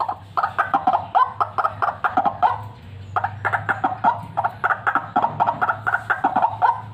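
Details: Fighter white-breasted waterhen in full voice, intended as a lure: steady, rapid series of coarse, nasal croaks, each short and evenly pulsed, continuing across the whole stretch with only a slight dip midway.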